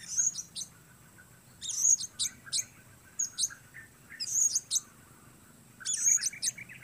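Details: Blue-crowned hanging parrot heard outdoors giving clustered, piercing high squeaky notes, four bursts spread over several seconds with quiet intervals between.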